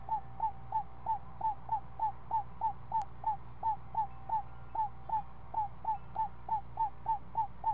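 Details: Nestling screech owl, seven days old, calling while being fed at the nest: a long, steady series of brief upward-hooked notes, about three per second, with a single click near the middle and low hum underneath.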